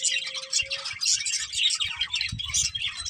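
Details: Breeding pair of budgerigars chattering in a steady rapid stream of high scratchy chirps, with a faint low steady tone at the start and soft low thumps.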